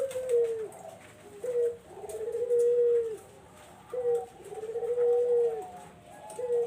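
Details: Barbary dove cooing, played as a lure for zebra doves: a short clipped note followed by a long, drawn-out rolling coo. The pair repeats about every two and a half seconds, low-pitched and loud against quiet background hiss.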